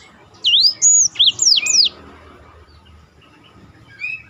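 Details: Black-throated canary song phrase from a master recording for contest birds: about one and a half seconds of fast high looping whistles, then near silence with one faint note at the end.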